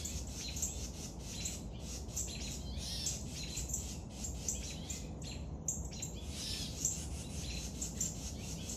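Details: Fed young woodpecker calling with rapid sharp raspy chirps and buzzes, repeated about twice a second, one short gap midway, over a low continuous rumble.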